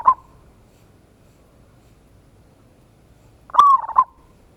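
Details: Zebra dove song used as a lure to trigger responses, ngayer kerot nutut style. A brief note at the start, a pause, then one loud rolling coo phrase with a click and trailing second note.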